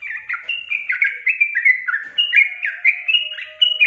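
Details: Sooty-headed bulbul singing, meant to prompt reluctant birds to sing: lively run of liquid, warbling whistled notes that swoop down and up in close succession, with a faint steady tone beneath.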